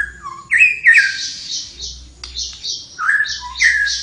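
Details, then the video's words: Energetic flowerpecker song of quick chirped notes that leap up and down, each followed by raspy, hissing buzzes, delivered in a near-continuous stream with a low steady hum beneath. "suara burung tledekan gacor"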